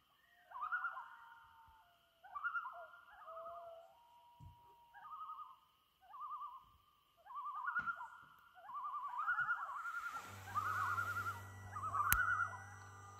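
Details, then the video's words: Loons on Trout Lake at sunset in May 2019 giving repeated quavering tremolo bursts, about eight phrases with a steady whistle under them, followed by a loud low rumble and a sharp click at the end. "Loons at Sunset on Trout Lake"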